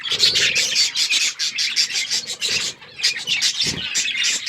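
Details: Pet budgies feeding on seeds give dense, rapid chirps and buzzy warbles in quick pulses, several birds overlapping, with a short pause around three seconds and a low knock just after.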